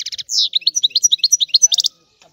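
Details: Rare old-style song of a Sicilian European goldfinch, played to stimulate goldfinches: a short burst of quick chirps, a buzzy slurred note, then an even series of about a dozen rhythmic twittering notes ending in a rapid triple flourish.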